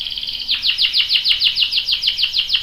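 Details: Canary singing in ngerol rolling style, with a young male joining in: a steady high trill, then a run of sharp descending whistled notes repeated about five times a second.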